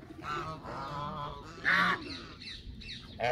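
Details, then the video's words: Canada geese honking in quick irregular succession, brassy nasal notes with one especially loud honk midway and another at the close. "وز كندي"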